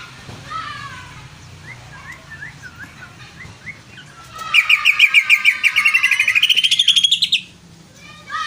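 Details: Greater green leafbird starting with faint, spaced rising whistles. Then comes a loud, rapid trill of repeated buzzy notes, about three seconds long, that climbs steadily in pitch before stopping abruptly.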